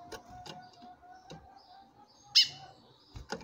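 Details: Female chestnut-bellied seed finch calling to a male: a single loud, sharp, harmonic call near the end, preceded by rhythmic clicks and a steady faint low tone.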